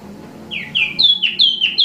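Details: Imported wambi mini singing: a run of loud, clear whistled notes, each sliding downward, coming quicker and higher-pitched toward the end over a quiet background.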